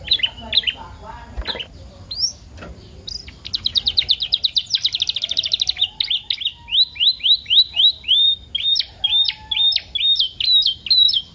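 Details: Canary song used as a lure to stimulate young canaries to sing and to tutor them, full of varied phrases: quick chirps open into a buzzy rapid trill, then a long series of clear, repeated rising-falling whistled notes.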